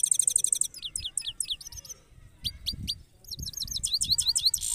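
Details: European goldfinch in a red cage sings rolling phrases of sharp high twittering notes, pausing midway, with faint low thumps and background noise.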